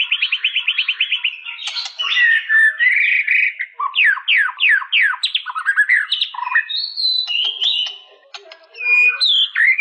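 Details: White-rumped shama with a varied song: a quick trill, then a series of loud downslurred whistles, chatter and high sweeping notes, ending after a brief gap.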